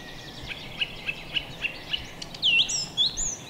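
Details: In a forest on a spring-like morning, a song thrush repeats a short sharp note about five times at even pace, then ends with a louder, higher whistled flourish over faint background hiss.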